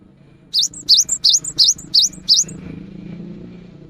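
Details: Cinereous tit in the afternoon, its song coaxing other tits to sing: six loud, high, dipping and rising notes at an even pace, then a low, rumbling background noise takes over.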